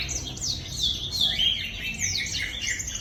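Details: Energetic black-throated canary song used as a lure: a dense stream of quick, high, buzzy and slurred twitters, rising and falling without pause, with faint low rumble underneath.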